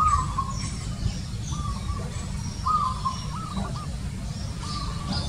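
A zebra dove gives soft, rolling trilled coos in short bursts about every one to two seconds. Steady low rumble and faint chirps from other birds sit underneath.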